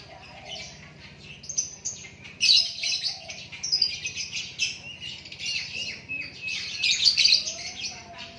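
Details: White-rumped shama delivering busy natural song: dense, rapid sequences of high chirps and rattling trills that swell and fade in waves, with a few soft low whistled notes in the gaps.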